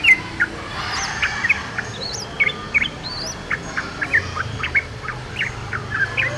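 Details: Wild yellow-vented bulbul keeps up steady short chirpy notes. Another bird adds several high, rising, slurred whistles.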